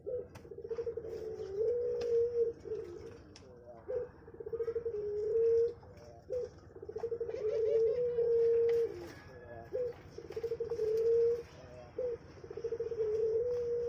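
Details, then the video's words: Puter pelong dove kept on a bird farm cooing in long, low, smooth hoots, phrases repeated with short pauses across the recording, faint background clatter. "Burung Puter Pelong"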